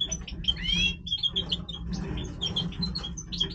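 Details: Singing goldfinch of the Major form in breeding voice: a curving upslurred whistle followed by rapid high chips and twitters, with a soft steady hum behind.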